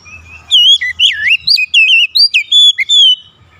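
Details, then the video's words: Oriental magpie-robin (kacer) song used as a lure to provoke other magpie-robins into singing; a loud burst of rapid, sweet whistled notes with rising and falling slurs, a dozen phrases in three seconds, with faint low rumble behind. "APAPUN JENIS KACER PASTI TERPANCING LANGSUNG IKUT GACOR"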